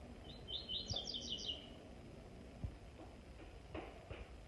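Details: Double-collared seedeater performing its special song in a singing show: one fast, high, twittering phrase at the start, then a few low thumps and clicks over steady background hiss.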